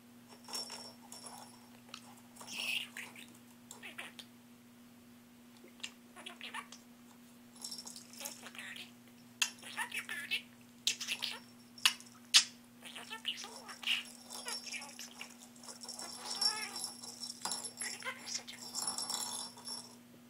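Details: Pet budgerigar named Peanut chatters in scratchy bursts and clicks over a steady low electrical hum.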